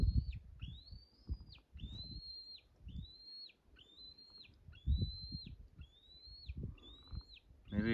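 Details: An eagle, heard in late August in the Boundary Waters wilderness of northern Minnesota, calls unusually persistently: about eight high, thin whistled notes, each slurred up then down, under low wind rumble and a man talking.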